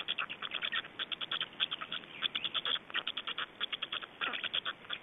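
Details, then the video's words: Feeding black storks in Estonia, 25 May 2012, about 17:03. Quick clipped grating notes repeated in short runs, evenly spaced bursts with tiny pauses, a steady chattering texture. "Estonian Black Storks - Feeding"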